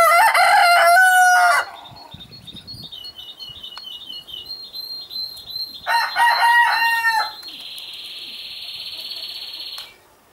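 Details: Red-saddled Yokohama rooster kept with his hens in Holland gives a loud, harmonic-rich crow with a long level middle, then a second, softer crow; small birds chirp high in the background and a steady buzz follows.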